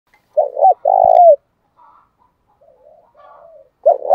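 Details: Spotted dove cooing in the 'thổ' voice style mixed with fighting-style cooing, used to rouse wild-caught doves that have long been lazy to coo. A short hooked note, then a longer low steady coo, a faint murmur, and another phrase.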